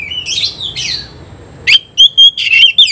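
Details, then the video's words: Oriental magpie-robin against a rival: two soft warbled phrases, then a loud run of sharp notes over a steady sustained whistle. "kacer gacor ngobra KONSLET nembak lawan tarung"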